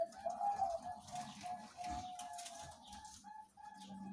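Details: Captive zebra doves at a breeding farm on 3 July 2019; soft, faint cooing notes repeated in a quick run, partly masked by background room noise and a low hum.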